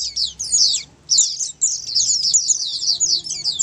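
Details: Multiple Oriental white-eyes singing at once, a recording for coaxing reluctant caged white-eyes to answer; thin, high, rippling twitters, a short lull early, then steady overlapping chatter.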